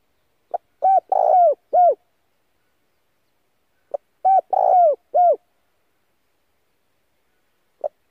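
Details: Spotted dove giving a decoy call to attract other doves, also played for daily voice training; two repeated four-part coo phrases about three seconds apart, with a lone short note starting another at the end.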